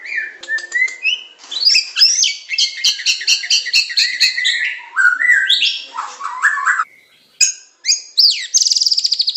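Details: Medan-type white-rumped shama song for master training, covering pancingan, macet, tembakan and isian styles: a long run of rapid, varied chattering notes with rattling bursts, a short pause, then a fast, high trill at the end.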